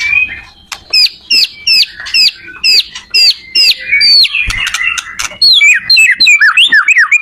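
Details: White-rumped shama song meant to help other shamas learn: a string of sharp, hooked, squeaky high notes repeated about every third of a second, speeding into quicker twisting notes near the end.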